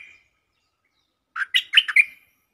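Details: Single warbled phrase from a caged stripe-throated bulbul used to lure wild birds: four to five bubbling notes closing on a short level whistle, preceded by a brief faint note.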